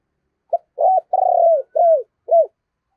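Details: Spotted dove, a decoy bird, cooing in the 'thổ' voice: one clean phrase of five deep coos, the middle one long and rolling and the others short and arched.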